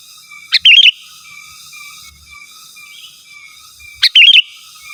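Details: Energetic sooty-headed bulbul calling rivals, pure recording with no other species; two phrases each of a sharp note followed by a rapid, bubbly, rolling whistle, about three and a half seconds apart, over a steady faint hum.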